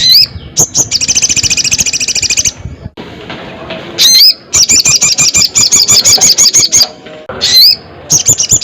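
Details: Loud crested jay calling to challenge a rival: long, buzzy, rattling trills of fast high pulses, broken by sharp rising whistled notes, with a hissy background.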